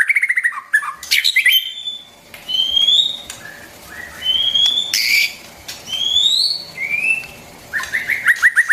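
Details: White-rumped shama singing, a recording meant to coach young and wild-caught birds: quick stuttering trills open and close the passage, with long, sweet, rising whistles between them.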